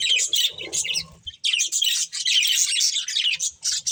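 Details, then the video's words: Breeding pair of budgerigars chattering in dense, scratchy high chirps, nearly continuous with brief pauses, plus faint low thumps early on. "Cute Budgies Chirping Sounds | Beautiful Budgies Breeding Pair"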